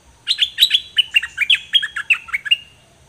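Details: Song of two Dok Taeng birds, recorded in 2020 as a model for young birds to learn from: a fast, continuous string of bright slurred chirps, about a dozen notes in under three seconds.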